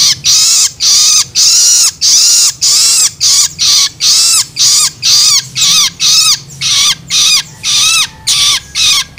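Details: Long-tailed shrike young begging, used to stimulate adults: a long series of harsh screeches with curved, falling ends, shortening and quickening toward the end.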